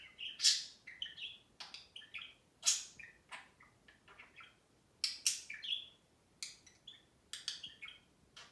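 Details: Pet budgerigars in a cage chattering and lecturing each other: bursts of sharp chirps, warbling notes and short buzzy squeaks, with brief quiet gaps between phrases.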